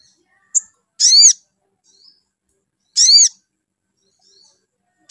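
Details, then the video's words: Spiderhunter calls used as a lure to make a bird sing: harsh stacked notes repeated about every two seconds, each preceded or followed by a faint soft chip, with a sharp tick at the start and nothing else audible. "SUARA MENAIKAN EMOSI SOGON BIKIN SOGON LANGSUNG NYAUT GACOR"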